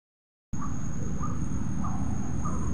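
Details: Coppersmith barbet at Bukit Batok nature park, 30 July 2022, 7.51 am. It gives soft, hollow 'tuk' notes about every half second over a heavy low rumble and a steady high whine.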